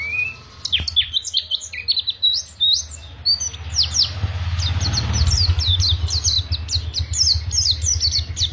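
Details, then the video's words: Oriental white-eye of Pacitan origin in long ngriwik twittering, with rapid, piercing high notes in dense quick sequences, while a passing vehicle rumbles low in the middle. "Pacitan Ori Ngriwik panjang"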